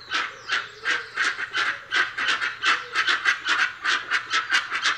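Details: Dusky-legged guan giving a dense run of harsh, honking yelps, about three a second, with the notes crowding together and overlapping into a continuous clamour.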